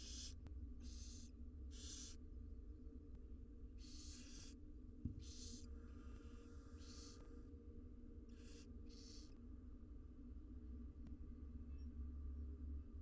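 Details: Six wild barn owl nestlings fed inside a nest box make repeated breathy, hissing begging snores, several short noisy bursts in the first half, then quieter, with low background hum.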